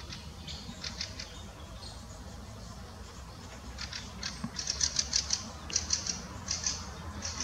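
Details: Spotted flycatcher perched on a lookout in Munich Botanical Garden, giving thin, very high, sharp call notes, about a dozen in quick irregular succession over a low background rumble.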